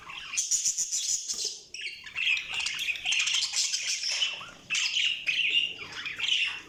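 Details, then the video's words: Budgies in a loud, continuous chattering of harsh squawks and buzzy chirps, several birds overlapping with one short pause. "Budgies Sounds| Budgies Chirping sound"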